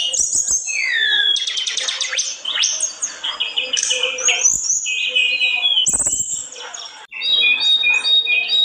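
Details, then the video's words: Olive-backed tailorbird, known locally as tledekan gunung, singing nonstop in a way said to rile other birds: a varied rush of high whistles, steep upward and downward slurs, trills and buzzy bursts, with brief pauses. "Bikin panas emosi tledekan lain,terlalu gacor tledekan gunung satu ini"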